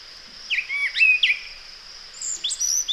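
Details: A brown thrasher sings quick bursts of sweeping, slurred notes, each phrase different from the last and never repeating, over a steady high insect-like hiss.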